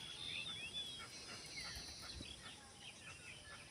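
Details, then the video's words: Faint bird chirping: short thin whistled notes and quick rising sweeps, high-pitched and scattered, over a steady background hiss with a low rumble beneath. "chirping of birds"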